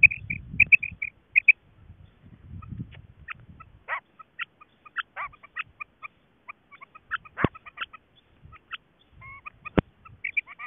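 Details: Female quail calling, linked to quail hunting: short high clipped notes, often doubled, repeated irregularly, with bursts of low rumbling noise and a couple of sharp clicks.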